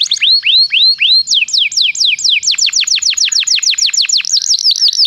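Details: Canary song, used as a lure to set other canaries singing: loud, clear whistled notes sweeping sharply down, repeated rapidly about three times a second, quickening into a faster run of downslurred whistles.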